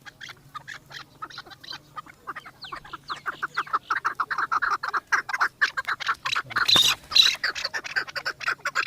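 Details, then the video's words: Chukar partridge from Pakistan, excited and circling a female, starts with softer scattered clucks that build into a loud, rapid chattering series, with a sharp rustle near the end. "چکور کی مستی آواز دیکھو"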